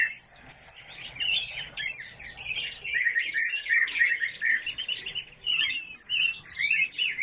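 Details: Captive coal tits in their aviary produce busy high chirping mixed with drawn-out thin whistles and short buzzy notes, several birds calling at once.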